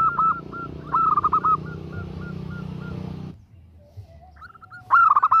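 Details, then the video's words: Female zebra dove calling a male: a faint run of short, level cooing notes, a brief louder staccato flurry near the start, a low hum underneath that stops midway, and a final loud rapid burst of coos. "Suara Perkutut betina Memanggil Jantan || The sound of a female turtle dove calling a male"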